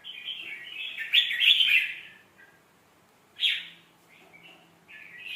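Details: Red-whiskered bulbul song with sweet phrasing, played to teach young birds: a bubbly, warbled phrase of rich whistled notes that peaks mid-phrase. It is followed by a short, bright burst near 3.5 seconds and another fragment at the end.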